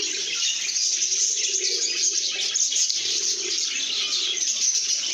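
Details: Lovebirds making happy sounds, a thick, continuous chorus of shrill chirps and tweets, with a few brighter squeaks popping out and softer low murmurs underneath.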